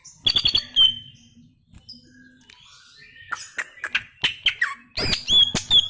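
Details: Greater green leafbird in gacor song: a clear high whistled phrase with chips, a quiet gap with faint notes, then bursts of harsh clicks and short sharp whistles.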